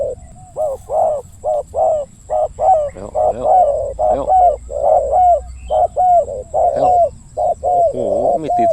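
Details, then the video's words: Spotted Dove during Thai dove luring gives a big-voiced, steady run of deep, hollow coos, about one a second, with some overlapping coos and a faint high electronic whine. "ต่อนกเขาใหญ่ เจ้าทีเด็ดสายล่า จัดเสียงใหญ่ คูอ่างให้อีกแล้ว"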